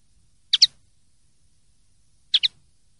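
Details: Clean-song common linnet (pardillo limpio) from a 2023/2024 recording: a pair of bright, clipped double chirps, spaced nearly two seconds apart, against a silent background.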